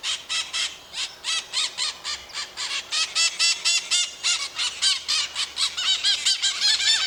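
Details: Brazilian maritaca parrots in a flock, calling to stay in contact and alert to danger: a continuous stream of loud, rasping screeches, about four per second, overlapping voices throughout.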